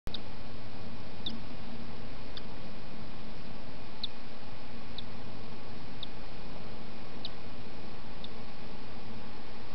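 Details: A cockatiel chick, hatched early this morning or late last night, gives thin, high, faint peeps about once a second over a steady low indoor hum, as its mother guards it in an aspen-bedded nest.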